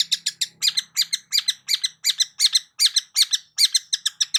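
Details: Long-tailed shrike song used as a lure to prompt a silent shrike to sing: rapid run of harsh, buzzy high chattering notes, about three per second, in a dense scratchy series with a faint low hum early on.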